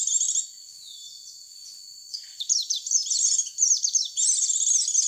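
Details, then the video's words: White-eye lure call for attracting white-eyes: a short twitter, then a faint thin whistle held for about a second and a half, then dense high chirping and slurred notes returning in quick bursts to the end. "Suara pikat pleci mp3"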